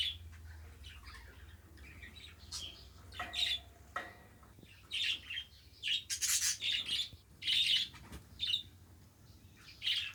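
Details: Caged pet budgerigars chattering, starting with scattered soft notes and building into dense runs of rasping chirps and squawky warbles, with a faint hum in the background.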